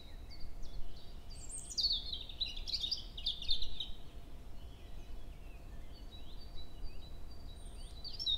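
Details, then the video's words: European robin song on an early May morning at 7 a.m. in woodland at Hoher Peißenberg, a female nearby exchanging contact calls with the male. A single high, rapid, varied twittering strophe rises and falls, followed by faint thin notes over steady low background rumble. "Rotkehlchen (4) - Gesang im Mai"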